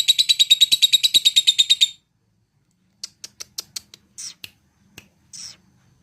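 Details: Lovebird trilling to find a rival: a fast run of high, evenly spaced buzzy pulses for about two seconds, then silence broken by a few scattered clicks and short squeaky notes.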